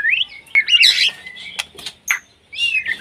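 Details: White-rumped shama in breeding condition calling a rival: a short rising whistle, a busy tangle of warbled notes, then scattered sharp clicks and brief whistles.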